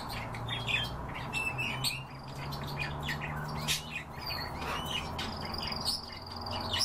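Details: European bee-eater (Merops apiaster), call.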